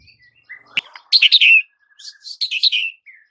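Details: White-rumped shama (murai batu) training song used to prompt mute shamas: a lone whistle, then loud buzzy chattering bursts, a thin sustained whistle, and another chattering burst ending in a soft descending note.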